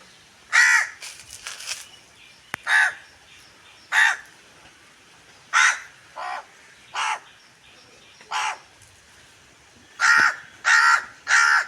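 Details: A crow calling to its own kind in a green, natural setting with gooseberry trees gives about a dozen harsh, hoarse caws, singly or in quick pairs, at an uneven pace; a few soft clicks come between.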